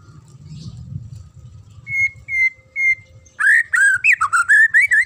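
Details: Magpie-robin song played for training young captive birds: three clear, level whistled notes, then a rapid run of loud, warbling, varied whistles rising and falling, over a faint low hum.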